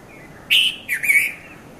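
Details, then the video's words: Sri Lankan red-vented bulbul at Mount Lavinia around 5:30 a.m.: a clear chirped phrase of two linked notes, the first bright and level, the second dipping then lifting into a short warble. "Red-vented Bulbul Bird Voice | Sounds of Bulbul"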